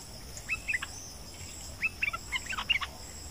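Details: A bulbul, recorded near dusk in the breeding season, gives short bursts of bright, bubbly whistled notes in two quick phrases over a steady high insect drone.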